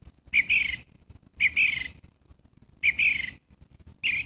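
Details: Gray catbird calling with rough, cat-like mews that slur downward, four notes in quick succession with short gaps, set against a faint low hum.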